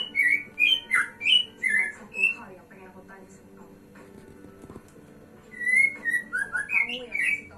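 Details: Male white-rumped shama from Indonesia singing: varied clear whistled phrases, some rising and some slurred, delivered in quick bursts, a quiet pause of a few seconds midway, then another run of fluty whistles and short chirps.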